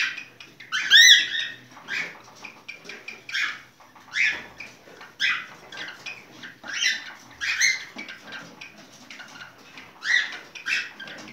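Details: Cockatiel giving its mating song, a busy stream of scratchy chattering notes with an upward-sweeping whistle near the start and regular louder squawks recurring every second or so.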